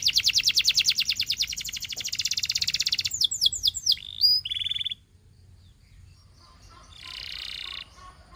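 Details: Belgian canary singing: a fast, high rolling trill for about three seconds, then quick downward-sweeping whistled notes, a brief buzzy tour, a pause, and a softer, fainter trill near the end.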